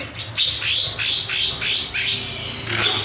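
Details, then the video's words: Kinoy bird song used as a lure and master recording, described as gacor, nembak and beset tajam. Series of bright, sharp downslurred chirps, roughly one every half second, with a faint low hum behind. "Masteran / Pancingan Burung Kinoy Gacor, Nembak, Beset Tajam"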